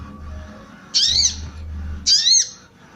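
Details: Female sooty-headed bulbul giving calls meant to arouse males' breeding drive. There are two short, bright, buzzy-squeaky notes, each curving up then down, about 1.2 seconds apart, with a faint low rumble underneath.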